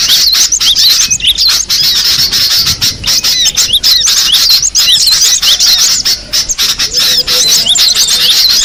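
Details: Busy high-pitched chattering of a wild cinereous tit: short sharp squeaks and swept chirps repeated without pause, with a faint lower whistle late on and constant background hiss.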